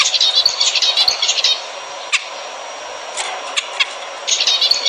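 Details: Zebra finch song meant to prompt mating: a burst of rapid nasal, buzzy chatter, then a long stretch of low hiss with a few isolated clicks and chirps, and a final short burst of chatter.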